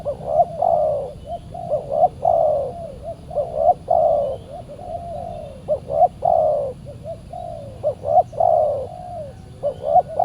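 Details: Spotted doves during decoy trapping on a Saturday, a very fierce wild bird answering the decoy. Mellow low coos in a steady series, each phrase a quick double note followed by a longer drawn-out coo, over a soft low background rumble.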